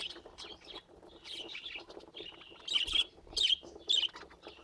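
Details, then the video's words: Pet budgerigars chattering in a busy stream of scratchy chirps and warbles, several bright squeaky notes rising near the end, with soft clicks and rustling underneath. "Laughing Budgies"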